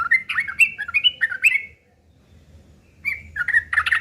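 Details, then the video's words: Sooty-headed bulbul singing its harsh fighting song as a lure to get other birds to reply; rapid series of rising, slurred whistled notes, a brief silence, then the chatter resumes, louder and denser. "trucukan gacor TARUNG ngeriwik kasar pancingan trucukan agar bunyi jadikan burung trucuk gacor NYAUT"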